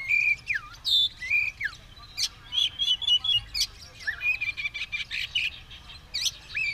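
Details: Spreading its tail and ready to fight, an Oriental magpie-robin sings drooping whistles and fast clicking bursts, with short phrases repeated at a steady pace.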